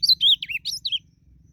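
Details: Blue-black grosbeak singing in the wild in a song contest: a brief, loud, clear phrase of about six whistled notes, ending with falling slurs, lasting under one second against a quiet background.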